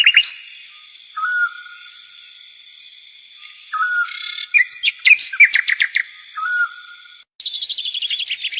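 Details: Free-living bird producing short downward-slurred whistles, then a burst of rapid chirps, and finally a fast, descending series of sharp notes, set against sustained faint high tones.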